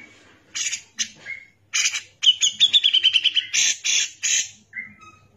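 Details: Grey-cheeked bulbul singing energetically as a tutor recording: harsh broad chattering notes around a quick run of sharp repeated whistles, closing with a short downslurred whistle.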